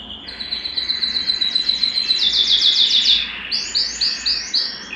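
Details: Excited canary seeking to mate sings quick high trills that grow louder, then switches to fuller, rising-falling repeated notes at about four per second.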